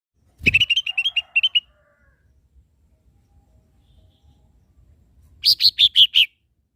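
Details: Lesser green leafbird song used as a training recording for caged birds: a quick run of about seven short chirps, a silent gap, then six louder, higher notes stepping slightly downward.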